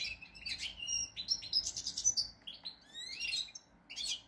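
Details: European goldfinch, described as a pied (cardellino pezzato) bird, singing a rapid twittering song of high, buzzy chirps, trills and short rising whistles in quick bursts, recorded indoors, with no other clear sounds.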